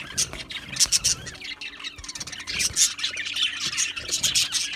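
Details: Many Australian budgies in a colony aviary chirping busily; rapid, overlapping high tweets and squeaky squawks come in pulsing bursts throughout.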